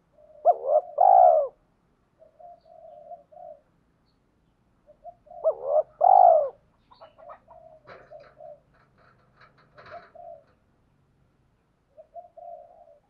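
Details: Decoy spotted dove, male and female, calling to lure wild doves. Two loud deep phrases about five seconds apart, each a doubled rising note and a long falling hoot, among soft repeated coos and faint rustling.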